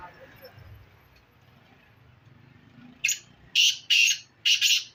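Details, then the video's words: Black francolin near Khushab giving its call: a quiet start, then four harsh, rasping, broadband notes in a rapid rhythmic phrase over the last two seconds, the middle bursts longest; low background rumble. "kala teeter ki awaz"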